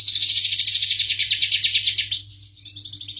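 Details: Canary of the starblue type singing sweetly: fast trilled phrases of rapid repeated notes high in pitch, slowing into a softer, quieter trill near the end.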